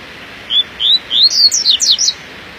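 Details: A captive double-collared seedeater on a morning outing sings a quick phrase of about eight high notes: level and rising whistles first, then sharp falling slurs, over a quiet background.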